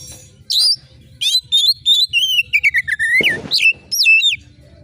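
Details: Sharp, prolific oriental magpie-robin song for rousing competition birds: a rising whistle, then a rapid stuttering series of clipped notes stepping downward, a broad rasping burst, and more sliding whistles.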